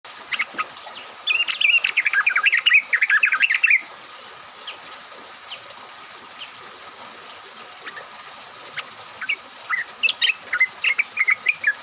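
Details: Yellow-vented bulbul song used as a lure to set other bulbuls singing, recorded in rain; bursts of bubbly, warbling notes in a dense chatter, pausing, then resuming in shorter phrases over a steady background hiss.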